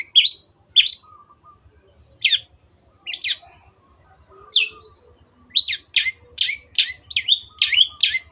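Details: Cendet, the Long-tailed shrike, in vigorous clear song used to train pet birds: scattered harsh, swooping notes early, then a rapid burst of about nine sharp chattering notes near the end. Faint low hum underneath.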